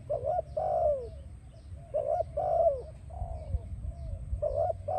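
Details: Spotted dove singing, a recording used to train and attract doves: steady repeated phrases of short wavering coos, each closing with a longer descending coo, about every two seconds, over a low hum.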